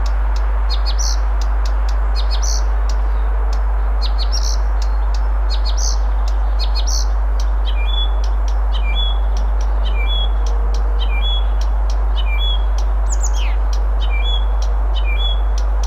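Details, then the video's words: Blyth's reed warbler song from Moscow, Russia, June 1, 2021: clicking notes and short buzzy phrases, then a run of repeated sharp downslurred whistles with ticks, delivered in quick succession over low background hum. "Бесподобная песня садовой камышевки"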